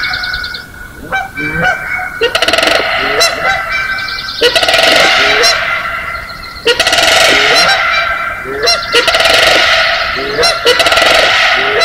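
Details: Early morning, May 4, 2016, Johnson Prairie's natural amphitheater, Klamath County side of the Greensprings: Canada geese give dense, overlapping loud nasal honks in rapid bursts, several at once, with sandhill cranes' rolling bugles mixed into the chorus.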